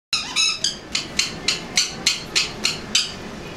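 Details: Pet parrot indoors, shut in a time out after going after a child and unhappy about it: harsh, grating squawks repeated about three times a second, ten in a row.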